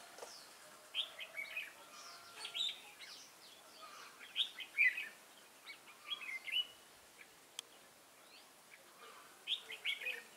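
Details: Wild-caught red-whiskered bulbul, recorded 22 October 2018: bursts of quick, chattering whistled notes repeated every second or two over a steady hiss, with one sharp click.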